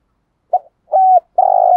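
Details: Spotted dove kept as a decoy bird, calling in the early morning: a short soft coo, then a firmer level coo that drops at its end, then a long steady coo held to the end of the clip.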